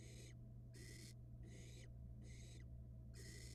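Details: Young barn owl on a Florida camera, quickly swallowing a rat; five loud breathy rasping hisses in under four seconds, evenly spaced, against a steady low electrical hum.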